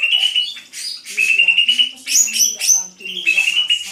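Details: Greater green leafbird delivering a lively, rich song of slurred whistles, sweet rising notes and scratchy chatter, phrased in quick bursts with short gaps between them.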